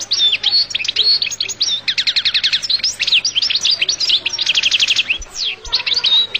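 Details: Loud, continuous song of a Collo goldfinch: fast liquid twitters, slurred whistles and buzzy trilled runs that repeat without a break throughout.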